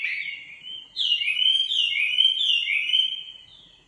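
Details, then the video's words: Nightingale song in clean, high slurred whistles: one short note, a brief gap, then a chain of rising and falling sweeps running smoothly together. "Singing nightingale. amazing bird song"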